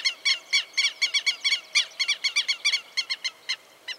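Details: Southern Lapwing (tero) in rural farmland and groves of Santa Fe, Argentina, giving harsh, loud alarm screams: rapid strident notes repeated about four per second, uneven spacing, slowing toward the end.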